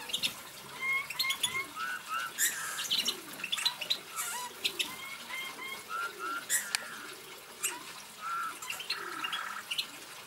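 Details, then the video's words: Eurasian bullfinch song: soft, piping whistles and creaky notes in short bursts, mixed with busy chirps and squawks from other birds. "songs Bullfinch goudvink Pyrrhula pyrrhula"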